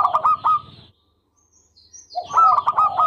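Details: Zebra dove of local type giving loud, tightly packed clipped notes with falling coos, a brief silence, then another strong burst of the same rapid notes.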